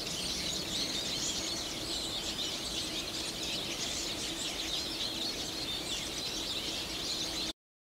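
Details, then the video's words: A flock of about 30 Eurasian siskins at Gokurakuji-yama, Hiroshima, Japan, on 27 February 2020 in winter, keeps up a dense twittering of thin, high chirps and wheezy notes, possibly song or subsong ahead of breeding season, over a faint low hum. "マヒワ群れ 鳴き声"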